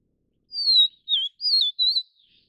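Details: Vivid niltava of the Taiwan-endemic subspecies Niltava vivida vivida, a broadleaf mountain forest bird, while feeding chicks: four clear whistled notes, the first long and gently falling, then short wavering notes, in quick succession.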